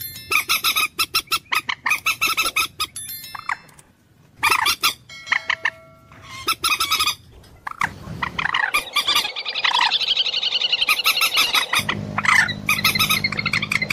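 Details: Common moorhen giving bursts of rapid harsh clucks separated by silences, later a continuous, noisy chattering series with occasional slurred squawks.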